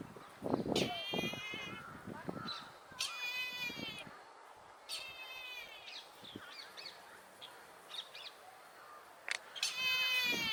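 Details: At Kasavanahalli lake, Bangalore, India, a Brahminy kite repeats hoarse, harmonic mewing cries of about a second each. Low knocks and murmuring background sounds fall between the calls.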